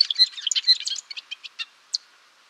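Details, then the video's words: Golden-rumped euphonia song: a quick burst of high, squeaky, tangled notes that slows into a few separate chips and ends with one sharp note. "Canto do Gaturamo Rei / Gaturamo de Cabeça Azul | Golden-rumped Euphonia | Euphonia Cyanocephala"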